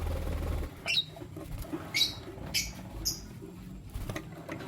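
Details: Lutino lovebirds, a male choosing between two females: a handful of separate high, squeaky chirps about every half second to second, over a low rumbling background.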